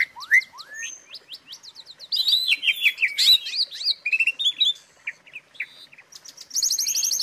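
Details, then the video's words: Asian pied starling song used as training material for other songbirds: a varied, fast medley of whistled slurs, rising and falling notes, dry chattering bursts and high buzzy trills, delivered in quick irregular phrases. "suara isian untuk masteran jalak suren"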